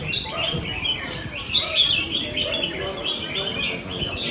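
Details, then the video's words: Red-whiskered bulbuls singing at a weekly Sunday-morning cage-bird song contest in Quy Nhơn, Vietnam, 21 June 2020; dense overlapping bright chirpy whistled phrases from several caged birds, with faint voices of people in the background. "Hội Thi Chào Mào Hót Đấu Giàn"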